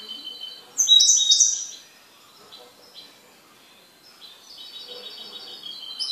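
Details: A kept goldfinch gives a loud, bright twittering burst of sharp high notes, then a short pause before softer, sustained whistled trills return. The background is quiet.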